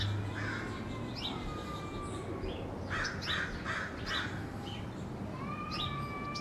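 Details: Crows scolding in a neighborhood: a brisk series of four or five harsh, nasal caws near the middle, with long thin whistles from other birds and a low rumbling background.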